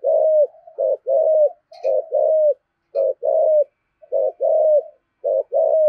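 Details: Decoy spotted dove giving steady "thổ"-style cooing: paired low coos, a short clipped note followed by a drawn-out even one, delivered in quick succession almost without pause.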